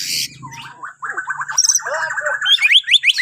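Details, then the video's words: Borneo white-rumped shama song, used to prompt other birds to sing in the morning: a fast run of short chattering mid-pitched notes, then higher, rising whistled phrases repeated in quick succession, after a brief burst of noise at the start. "Kicauan Murai Batu Borneo❗Cocok Buat Pancingan Dipagi Hari"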